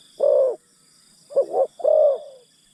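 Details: Decoy spotted dove luring forest birds: a single long coo, a pause, then a quick double note running into a longer falling coo, against faint high insect noise.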